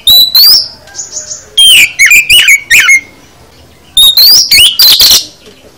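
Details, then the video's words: Full song of an oriental magpie-robin, used to train other birds: loud, varied whistled phrases rising and falling, clustered in two busy bursts separated by a short quiet gap, with buzzy high notes mixed in. "Kicau KACER Full Isian"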